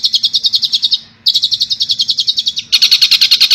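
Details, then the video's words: Long-tailed shrike song: fast, high, scratchy chattering notes, about ten a second, in three bursts separated by brief pauses. "Cendet Full Tembakan Kuntilanak"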